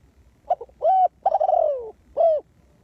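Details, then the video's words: Spotted dove kept as a decoy to draw in wild doves, calling a stuttered pair of short notes, a rounded coo, a long purring coo falling in pitch, and a closing coo. "The Cu Gáy Mồi Đất,Kèo thơm lụm Mồi sảy,นกเขาใหญ่สายต่อดิน,Sound Of Cuckoo Bird่,Suara Tekukur Pikat"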